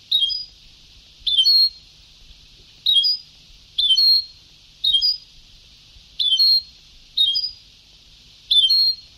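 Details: Very old taped song of a European goldfinch in Ceuta (sabtawi) style. Eight brief, high, chirpy bursts come at roughly one-second intervals, each a quick tinkling twitter, with nothing else audible.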